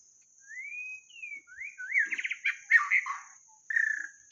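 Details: White-rumped shama song used for luring: clear, slowly rising whistles open the phrase, then a fast trilled flourish, a rich warble, and a final steady whistled note. A faint high hiss runs throughout.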